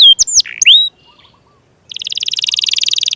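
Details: Canary song meant to stir quiet or young canaries into song; a few sharp swooping whistles, a short pause, then a dense rapid buzzing trill at high pitch.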